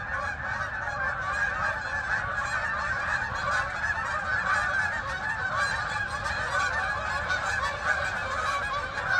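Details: A large flock of geese calling in flight toward the fields, Farmington, Connecticut meadows; loud, steady, tightly overlapping honking sustained across the whole stretch.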